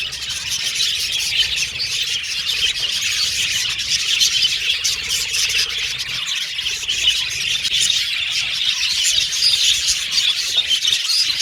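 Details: Budgerigar colony in a cage, birds singing and chirping while playing: steady overlapping high-pitched twitters and warbles form an unbroken chorus, with fast clicking and chattering notes throughout.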